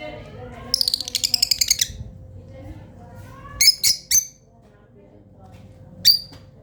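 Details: Kept lovebirds calling indoors: a rapid run of about ten high, harsh chirps, then after a pause three sharp squawks and one more later, over faint talking and a steady low hum.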